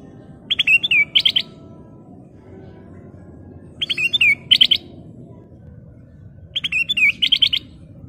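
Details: Kutilang emas, the black-crested bulbul, gives lively repeated phrases of bright, bubbly whistles ending in sharp rising notes, each burst about three seconds apart against steady low-frequency background hum.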